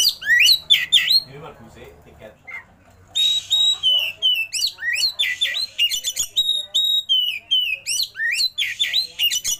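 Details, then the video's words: Oriental magpie-robin in rich fill-in song with rolls. Bursts of fast, varied chips and rising whistles, a brief quieter stretch, then long, high, level whistles alternate with scratchy notes in rapid succession. "KACER ISIAN MEWAH❗KACER ROLL TEMBAK BUKA EKOR"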